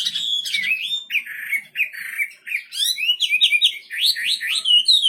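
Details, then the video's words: Singing wambi bird delivers a busy mix of rising, swooping whistles and quick repeated upward-sweeping notes, loud and varied throughout, in a quiet setting. "Burung wambi istimewa gacor full"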